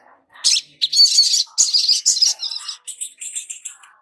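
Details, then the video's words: Long-billed spiderhunter lure song meant to get newly kept young birds singing. Loud, harsh, high chattering bursts give way to thinner, rapid twittered notes. "Pancingan SOGON BAKALAN agar Cepat BUNYI dan GACOR || Pancingan Sogok Ontong agar NGOBRA"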